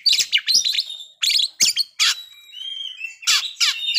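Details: Magpie-robin lure song for stirring breeding condition and aggression. Scratchy, high chirp clusters come in bursts, interrupted by a thin, level whistled note held for about a second before the chattering resumes.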